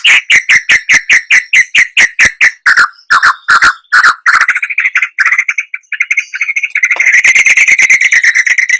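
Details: White-rumped shama giving a steady series of sharp, clipped notes about three per second, which then run into a continuous harsh, chattering warble.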